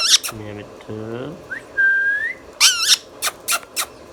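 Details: Pet Indian ringneck parrot talking: low, voice-like harmonic syllables, a clear rising whistle, then sharp high squawks and clicks, recorded indoors.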